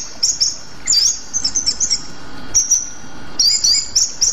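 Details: A Rueck's blue flycatcher (Cyornis ruckii), a Sumatran endemic, sings very high, thin, sibilant phrases of quick twittering notes in short bursts separated by brief pauses, over faint background hiss.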